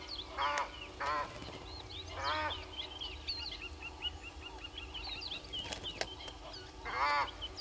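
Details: Egyptian goose at Gowrie dam waterhole, Djuma Game Reserve, Sabi Sand Wildtuin, South Africa, picked up by a live waterhole camera at 05:57 on 09/05/21; four harsh, rasping honk bursts, two close together, then one, then one near the end, over steady twittering of small birds.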